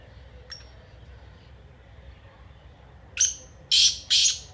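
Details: Black francolin (kala teetar) voice: after a faint early note and a quiet gap, a thin sharp note leads into two loud, harsh, grating notes at the end.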